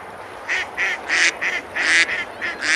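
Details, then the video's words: Ducks on a river at Besalú, Girona, Spain, on a summer day, eating and splashing: a loose run of short, nasal, harsh quacks, some single and some in quick pairs, over soft background noise. "Ducks quacking, eating and splashing on the river"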